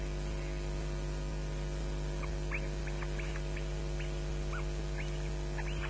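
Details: Osprey chicks on a nest at Loch Garten, Scotland, 22 May 2012, mid-morning, squabbling and shrieking for food while an adult looks on, picked up by a nest camera. Thin, sharp chip notes come in loose irregular bursts over heavy electrical hum.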